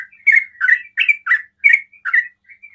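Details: Sooty-headed bulbul singing in ropel style, said to provoke other bulbuls into calling; bright, clipped chirping notes in close pairs, about six phrases rising and falling in a short burst.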